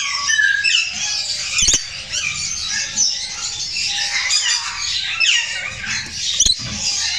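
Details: Rainbow lorikeet kept at a bird farm: shrill, harsh screeching squawks pour out almost without pause, overlapping chatter from more than one caller, broken by two sharp knocks.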